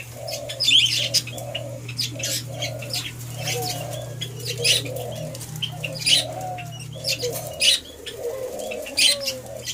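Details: Alimukon, the white-eared brown dove, under taming: a chain of low, rounded coo notes repeated at a brisk even pace, with bright chirps from other birds and a low electrical hum beneath.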